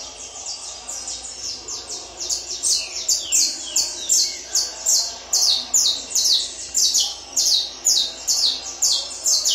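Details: Song of a Peruvian saffron finch being prepared for singing tournaments: rapid chains of bright, falling, slightly rasping notes, roughly two to three per second, steady and insistent against a quiet background.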